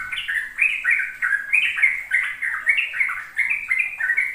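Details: Sooty-headed bulbul delivering fast ropel song, meant to teach young birds: lively, bubbling whistles repeated about three times a second in a continuous stream, with some notes jumping higher than others.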